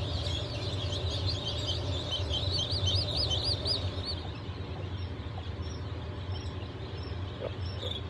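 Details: A batch of newly hatched chicks (Blue, Light Brahma, Wyandotte, Sebright and Legbar breeds), hatched 07.07.2023, cheep in rapid high arched notes that thin out after about four seconds, with a constant low hum beneath.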